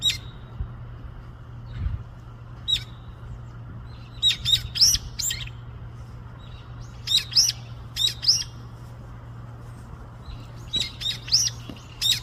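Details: Little bird outdoors, said to be talking with its friends, giving scattered clusters of sharp high chirps and short upswept tweets separated by pauses, with a constant low background hum throughout.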